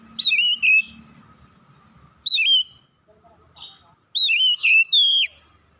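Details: Oriental magpie-robin singing in the morning: loud clear whistled phrases with quick up-and-down inflections, several two- and three-note groups and a final long downslurred whistle, faint hum behind.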